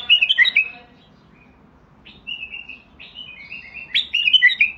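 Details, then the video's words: Basra bulbul song, a bird described as having a world-class voice: a loud burst of jumbled whistles, a pause, then sliding whistled strands building into rich warbling notes. "تغريد_بلبل_ بصراوي حنجرة عالمية"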